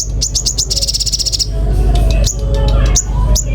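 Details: Common iora starting with a few rising chirps, then a rapid, even high trill, followed by scattered sweeping whistles, while faint lower tonal sounds and a low hum play underneath.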